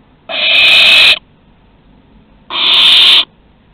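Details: At Théding in France on 2 September 2020, as a barn owl makes its first flight from the nest and comes back, two long, rough hissing screeches sound a little over two seconds apart.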